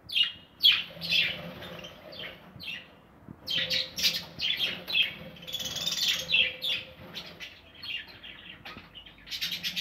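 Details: Several budgerigars in a nesting aviary keep up rapid, overlapping chirps and scratchy warbling chatter, with brief pauses, over a faint low hum.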